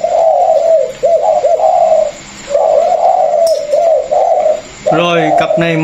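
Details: Caged pair of Vietnamese spotted doves, one a former calling decoy and one a newly caught wild bird, offered for sale. Two low, soft cooing phrases of about two seconds each with bubbling notes, then a man starts talking indoors.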